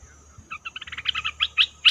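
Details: Red-whiskered bulbul lure call used for trapping: a quick series of short bright chirps accelerating, then louder slurred notes rising toward the end.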